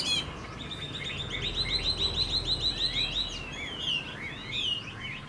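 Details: Chinese hwamei in a cage delivering a quick series of high repeated whistled notes, about three per second, then looping, swooping phrases over steady low hum.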